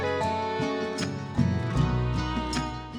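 Plucked acoustic guitar music with a steady bass line, and no animal sounds.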